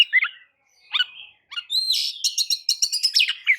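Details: White-rumped shama, known as kacer, singing a lure song to get other birds singing: scattered whistled phrases, then a rising whistle and a rapid run of high, clipped, repeated notes.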